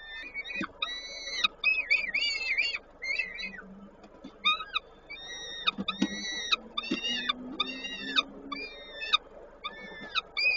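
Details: Peregrine falcon feeding at the nest in Koszalin, Poland, 19 May 2022; a run of short, harmonic, arched whining calls repeated about once a second, louder and rougher than whistles, over low background hum.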